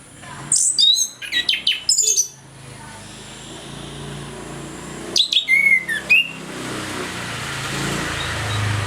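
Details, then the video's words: Orange-headed thrush in morning song, used to stir reluctant thrushes into singing: two clusters of rapid, varied high whistles and trills, followed by a rising background hiss. "ANIS KEMBANG NGEPLONG PAGI, PANCINGAN AK MALAS BUNYI AGAR GACOR"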